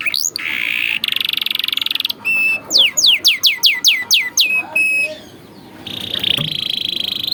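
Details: Atlantic canary singing in a training recording meant to teach young birds. A buzzy rolled phrase leads into a run of loud descending whistled slurs. A rapid rattling roll comes next, with a brief pause before a final high buzzy trill.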